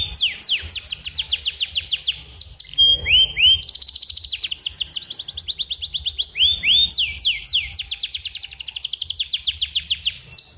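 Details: Canary song for teaching young canaries, continuous fast rolling trills of sweeping notes, a short pause with soft rising whistles, then more rapid even tours.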